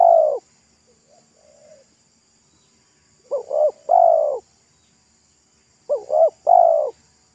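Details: Roadside spotted dove, a local bird with a thick, loud 'pesom'-like song during luring: the tail of one coo, faint soft notes, then two full phrases of short double coo plus long coo.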